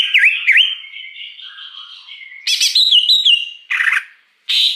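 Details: Lure song of a wild greater green leafbird: swooping whistled notes, a rippling warbled run, then harsh squawky bursts separated by short gaps.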